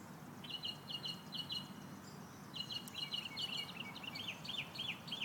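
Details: Birds chirping in the morning in Central Florida: quick trills of sharp high chirps in two bursts, the second longer and rising into slurred notes, over a steady low background hum.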